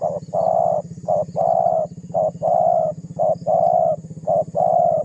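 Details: Spotted dove, calling energetically to provoke rivals and used as a lure, repeats a short note followed by a long steady coo five times in five seconds, over a strong low rhythmic hum.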